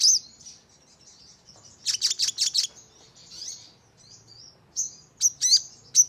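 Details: Crimson sunbird lure meant to make birds respond, fire off notes and flutter; shrill high thin notes, a fast burst of five sharp chirps near two seconds, softer twitters, then spaced piercing calls toward the close.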